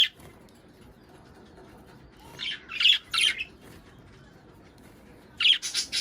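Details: Budgerigars chattering to encourage mating and egg laying: scattered short bursts of high, buzzy chirps with quiet gaps between them.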